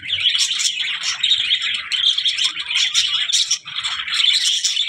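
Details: Budgerigars giving a dense, nonstop chattering warble of high chirps and scratchy notes, several birds overlapping with brief louder bursts throughout.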